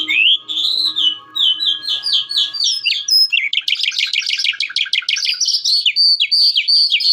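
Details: Calandra lark song: a string of rising and falling whistled notes, then a dense burst of quick repeated chirps ending in high clear whistles, steady faint hum in background.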